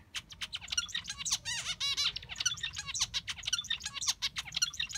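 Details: Zebra finch singing its peculiar song: a busy stream of high, nasal, buzzy notes and stacked honking syllables, quick and irregular, with faint low background hum.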